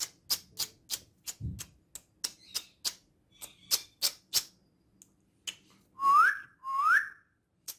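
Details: Talking female ringneck parrot, said to speak Urdu and Hindi, kept indoors. Steady dry tapping or clicking runs through the clip, then two loud, clear whistled notes that sweep upward come one after another near the end.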